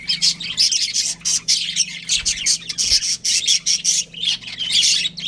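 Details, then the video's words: A breeding pair of budgerigars calls in dense, loud, scratchy chirps and warbled squawks, repeated in quick pulses about twice a second, with a faint thump and a steady hum underneath. "Adorable Budgies Chirping Sounds"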